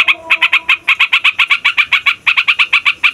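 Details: Fast chattering roll from a yellow-vented bulbul, a song meant to rile other songbirds. A string of punchy, uniform notes hammers on nearly continuously, with one short gap near the end.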